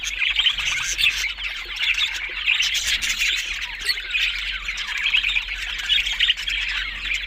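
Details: Budgerigars give steady overlapping warbles and scratchy squawks, a busy, unbroken flock chatter with a low hum underneath.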